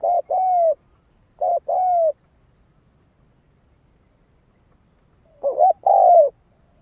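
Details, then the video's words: Spotted dove song played to stimulate decoy birds: three cooing phrases, each a short low note followed by a longer, smooth, slightly falling coo, separated by silent gaps. "Tiếng chim cu gáy kích mồi cực sung"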